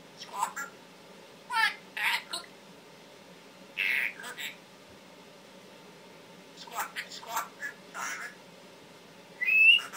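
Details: Pet male Timneh African grey parrot, kept indoors and taught words, coughing and asking for water, gives short speech-like phrases and harsh squawks in separated bursts, ending with a thin rising whistle.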